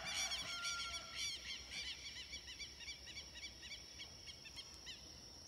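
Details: Group of red-legged seriemas giving a fast run of arched yelps that slows and fades over five seconds, with a constant high insect drone underneath.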